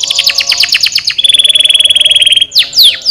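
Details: Canary song for encouraging lazy canaries to sing: quick high slurred notes leading into a fast, even, rolling trill, closed by a few loud downward-sweeping notes.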